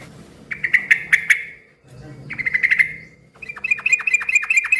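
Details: Yellow-vented bulbul singing loudly, a call said to make other bulbuls answer; bubbly runs of quick, rounded notes in three bursts, the last a bouncing series of dropping notes, over low background rumble.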